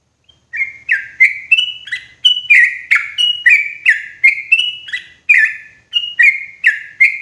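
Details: Sooty-headed bulbul calling loudly and clearly, a recording meant as a lure for trapping in the forest: quick chirped notes in an uneven, bouncing series, alternating slightly higher and lower, roughly two or three per second.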